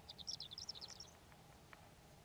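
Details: Horned lark singing on a warm, sunny spring day on Antelope Island, a quick run of high, thin, tinkling notes for about a second, then a few faint clicks over a soft outdoor hiss.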